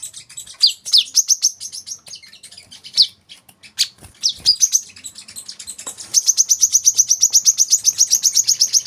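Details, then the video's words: Olive-backed sunbird, recorded as masteran training audio for young birds: several sharp, downward-swooping whistles and scattered chips, then a long, rapid, high, steady trill of evenly spaced notes. "kolibri kelapa | wiceh | manggar | putar suara ini untuk burung bahan agar rajin bunyi"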